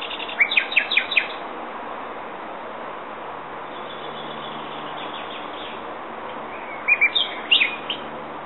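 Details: Common nightingale singing: a short burst of rapid, repeated chirping notes opens, then a long quiet stretch of steady background hiss, and a second brief, jumbled phrase arrives near the end.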